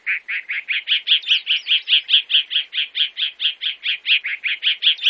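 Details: Sabiá-do-campo, or chalk-browed mockingbird, from Brazil producing a long, even series of loud scratchy notes, about two and a half per second, with faint high whistled overtones throughout.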